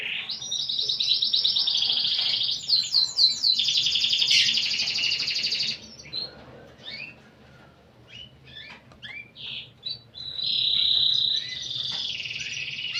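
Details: Singing canary with a distinctive cengkok: a long loud rolling trill with brief descending flourishes, a quieter spell of scattered chirps, then another sustained buzzy trill.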